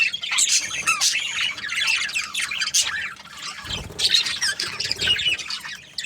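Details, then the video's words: Australian budgerigars in a noisy group, rapid squawky chirps and warbling notes crowding over one another, with a few brief dull knocks and low rumbles underneath. "Australian budgies parrot chirping sounds"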